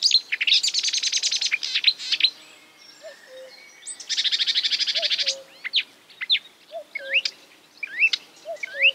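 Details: Marsh warbler copying other birds: a harsh, fast buzzing trill, a pause, then a second long buzzy trill and upward-swooping whistles. A lower two-note call repeats about every second and a half underneath.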